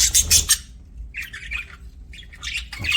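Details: Budgies chattering: a loud burst of rasping squawks first, then a quieter string of warbled chirps and buzzy notes after a brief pause.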